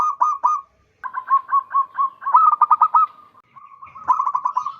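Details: Loud wild local zebra dove call used as a trapping lure: strings of quick, bubbling coo notes, rolling and repeated in uneven runs with brief gaps.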